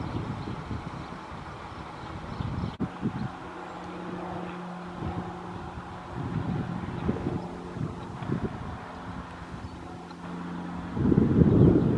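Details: Steady low wind rumble and engine-like hum, with a gust-like burst near the end and no clear animal call.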